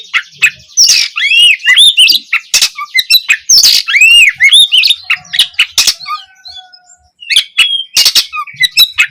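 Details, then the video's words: Oriental magpie-robin song, an opening phrase to prompt young birds to reply: a long, busy stream of arched whistles, harsh scratchy squawks and quick chirps, briefly pausing near the end before more sharp notes. "Awalan suara Kacer bahan belajar gacor, cocok untuk memancing Kacer trotolan agar lekas nyaut gacor"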